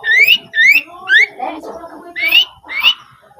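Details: Rufous-fronted laughingthrush song used as a master recording for training cage birds: loud, clear rising whistles repeated about twice a second, over lower chattering notes.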